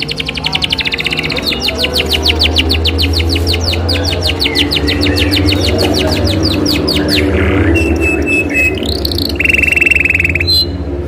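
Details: Isabel canary in rolling song to encourage other canaries: a long fast trill of sharp repeated notes for about seven seconds, then level piping notes and a buzzy held tour, over a low hum.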